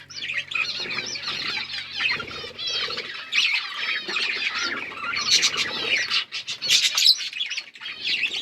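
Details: Budgerigars recorded October 27, 2023, chattering in a dense stream of warbled, buzzy chirps and squeaky notes overlapping without pause, with sharp clicks and a few louder squawks late in the clip.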